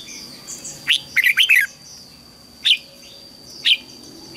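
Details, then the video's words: Red-whiskered bulbul song meant to teach young birds: a brisk cluster of warbled chirps, then single sharp notes spaced about a second apart, with a faint steady high tone running throughout. "Chào mào luyện giọng giúp má trắng học giọng hiệu quả, kích chim bổi nhanh hót và căng lửa."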